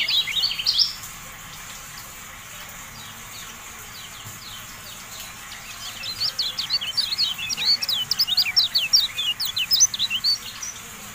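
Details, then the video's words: Training audio of a Javan white-eye (kecial kuning): a brief high burst, several seconds of near silence, then a dense, fast series of sharp, high chirps lasting about five seconds. "MASTERAN TERBARU KECIAL KUNING, FULL AUDIO"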